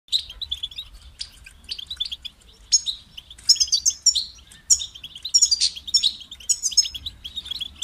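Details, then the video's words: European goldfinch singing, kept to stimulate other goldfinches' singing; rapid twittering phrases of buzzy and tinkling high notes in bursts with short pauses, brief low hum beneath. "Highlighting motivating songs for creative goldfinches in simple ways"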